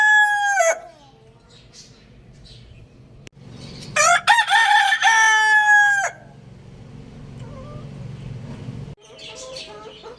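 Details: Lohmann Brown rooster crowing loudly: the tail of one crow fades out at the start, then a strong, two-second cock-a-doodle-doo rings out, harsh and rich in overtones with a sustained, slightly falling pitch, over a low steady background hum.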